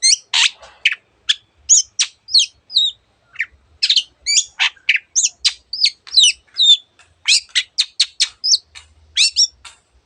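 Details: Cendet, the Long-tailed shrike, in full-voiced gacor song with many borrowed bird-sound variants. A quick jumble of squeaky twisting whistles, scratchy notes and sharp chips, nearly continuous and high-pitched.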